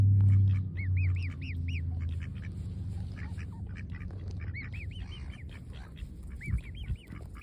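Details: A baby swan eating fresh grass in the sun gives thin, high, arched peeps in short bursts of two to four notes, over a steady low rumble of wind or handling noise.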